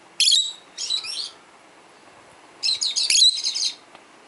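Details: Caged peach-faced lovebird, 12 years old, tweeting for other lovebirds; two bursts of harsh, rapid, high-pitched chattering chirps separated by about a second of quiet.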